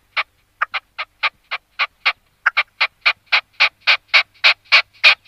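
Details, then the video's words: Singing red-legged partridge (Alectoris rufa): a run of harsh chuffing notes, at first spaced unevenly, then coming faster and steadily louder toward the end, with a quiet background. "Perdiz Vermelha Cantando, Red-legged Partridge"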